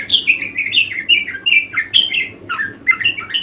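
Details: Budgerigar singing energetically: quick, bright chirps and short slurred whistles tumbling in a lively, continuous warble.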